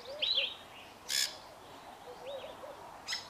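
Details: Pair of Fork-tailed Drongos singing together: wavering, looping high whistled notes, a sharp harsh rasping burst, then softer slurred whistles and another rasp, with low soft notes underneath.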